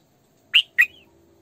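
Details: Female Red-whiskered bulbul used as a lure, sổ bọng căng song: two sharp, bright notes in quick succession, the second trailing into a thin whistle.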